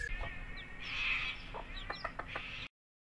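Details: Mother hen with her chicks: short, noisy clucking bursts with one longer harsh call near the start, then a run of brief clicks before the sound cuts off.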